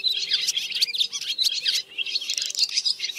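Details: White-bellied swiftlets calling the flock to roost, dense overlapping high twitters and chirps with teeth-grinding sounds in a continuous chattering chorus over a faint low steady hum; used as a lure recording.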